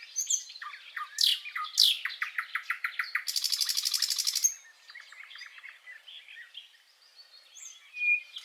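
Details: Common nightingale (Luscinia megarhynchos) song used for training other songbirds: sharp upslurred notes, a fast series of repeated chips, then a loud dry rattle, fading into softer scratchy twitters.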